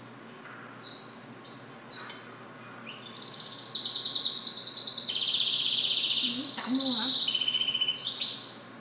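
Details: Goldfinch mule singing: scattered high chirps, then a sustained rapid trilling warble of fine repeated notes lasting several seconds, with a brief low vocal sound near the end.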